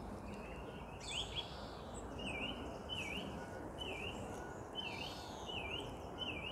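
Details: Song thrush singing from a bush on a quiet Sunday morning, unbothered by the weather: short whistled notes with a swooping dip, each phrase repeated several times in a row at a steady pace over a constant hiss of background noise.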